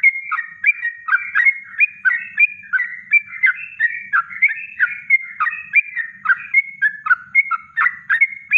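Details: Yellow-vented bulbul delivering a natural kongslet song for training birds: a long, dense, continuous stream of rollicking liquid notes, each a short whistle with a downward flick, loud and steady throughout.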